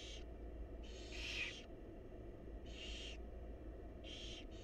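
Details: Wild barn owl young begging in a nest box during feeding by their mother: long hoarse hissing snores, the longest nearly a second, spaced about a second apart, over low electrical hum.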